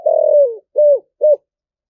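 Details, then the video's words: Decoy spotted dove, thổ voice style, calling with a two-note ending: one long, low, steady coo sliding down at its end, followed by two short, rounded, arched notes. "Chim Cu Mồi Giọng Thổ gáy gọi hai hậu, cu gay giong tho cuc dinh"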